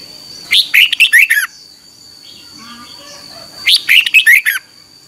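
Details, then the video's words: A red-whiskered bulbul sings in the morning for training, 2021, giving two matching phrases of about six quick, bright, warbled notes, roughly three seconds apart, with a faint continuous high tone in the background. "Luyện chào mào hót sáng 2021"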